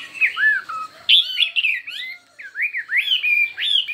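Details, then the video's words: Contest singing of a Chinese hwamei with many voices: loud, rich whistled phrases that rise and fall in arching slurs, a sharp high burst after one second, and a brief gap before repeated swooping notes resume. "Hoạ Mi Hót Đấu Nhiều Giọng"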